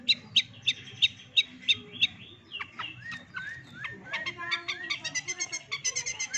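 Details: A six-month-old Long-tailed shrike copies chick peeps: sharp high cheeps about three a second, then slurred notes and a fast, jumbled chatter; this bird also mimics hen, canary and lovebird.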